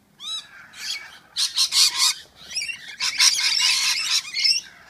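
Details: Several rainbow lorikeets quarrel while bathing in a garden birdbath. They give loud, harsh, rasping screeches in dense overlapping bursts, after a short rising whistled note at the start.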